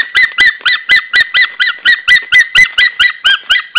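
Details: White-tailed eagle pair at their nest in Estonia, March 2013, start of breeding season before mating, "eagle singing": a long run of loud, yelping, slightly nasal notes, about four per second.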